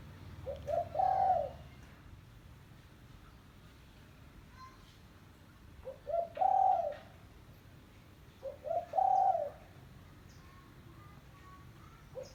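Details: A spotted dove (tekukur) gives soft, low, hollow cooing phrases of a few notes each, three phrases spaced several seconds apart over a quiet outdoor background; such calls are used to lure wild doves.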